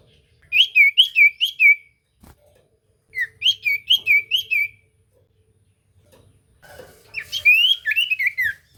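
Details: Common iora lure song used to make other ioras answer: two bursts of five or six quick, rising whistled notes, then a looser run of chirping, slurred notes, with near silence between phrases.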